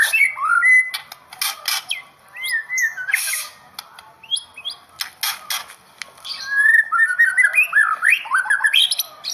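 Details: Performance white-rumped shama delivering varied whistled phrases and rising slurred notes, broken by loud dry clicking and rattling bursts, with a rapid rising whistle series near the end.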